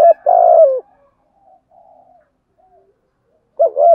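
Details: Spotted dove cooing in the thúc gù and gáy gọi manner: one long rolling coo, then faint soft murmurs, then another phrase beginning at the end. The setting is otherwise quiet.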